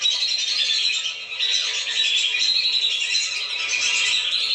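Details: Lesser whistling ducks in a lure recording used to bring them down: a dense, unbroken chorus of high, thin whistles and squeaky notes overlapping throughout, with no pauses and no other sounds.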